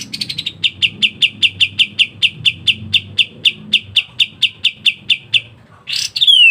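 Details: Pied triller (kapas tembak) singing ngebren rapat song used as a master song for songbirds: a long, even series of about twenty crisp repeated chip notes, roughly three per second, ending in a burst and a falling whistle.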